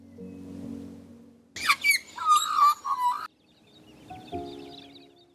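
Australian magpie giving a rich, fluting, gurgling warble for about two seconds, with whistled notes sliding downward; soft music plays before and after.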